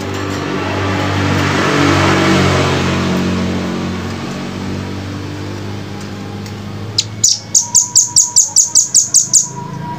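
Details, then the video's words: Velvet-fronted nuthatch heard after several seconds of loud engine-like rumble: a brisk burst of around ten high, sharp chipping notes in even succession. A steady mid-pitched tone hums underneath. "masteran jernih rambatan paruh merah"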